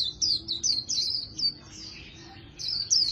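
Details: Oriental white-eye giving a rapid 'líu' warble of the fighting-song style, likened to a magpie-robin's voice: a string of sharp high down-slurred chirps, a softer trailing phrase, then two loud chirps again.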